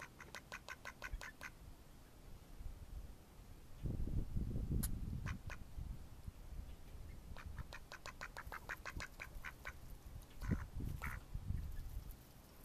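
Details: Quacking Mallard ducks, May 2014: two bursts of quick, evenly spaced nasal quacks, one at the start and one later, separated by low rumbling background noise.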